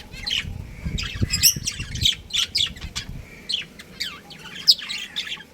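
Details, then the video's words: Pet budgerigar breeding pair chattering in quick scratchy chirps and squawks with short whistled notes, fairly continuous, over low rumbling background noise in the first half. "Cute Budgies Chirping Sounds | Budgies Breeding Pair"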